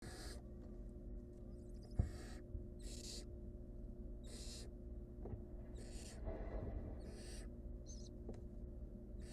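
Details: Wild barn owls at a nest, a mother and her nestling, as the young one chokes on a rodent's leg and the mother pulls it free; harsh, breathy hissing screeches come in bursts roughly every second over a steady low hum.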